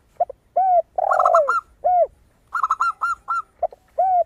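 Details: Zebra dove song, clear and crystal-toned, for luring other birds. Two short bursts of bright, rapid notes sit between deep, bowed coos of a spotted dove.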